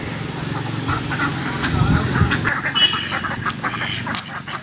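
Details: Duck running in a pond, giving rough nasal quacks in irregular series, loudest around the middle, over a steady low rumble and background noise.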